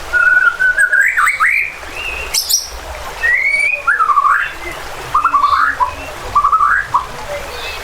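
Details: White-rumped shama in emotional, combative song used to provoke rival birds. Short, slurred, warbling phrases are repeated about every second, with a brief high squeak in between, over a constant low rushing background.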